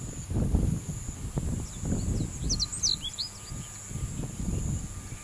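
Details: A Japanese reed bunting delivers a fast run of bright, looping chirps and downward-slurred notes, quickening mid-phrase, set against steady rumbling wind.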